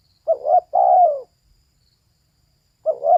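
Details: Female spotted dove producing one full phrase, a wavering pair of short notes then a long sliding-down coo, with the start of a second phrase at the end.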